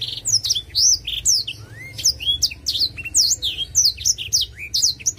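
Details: Black-throated canary singing a continuous, fast warbling song of rapid twittering and looping whistled notes, mostly high-pitched, with quick downward and upward sweeps and brief trills; a low hum sits beneath throughout.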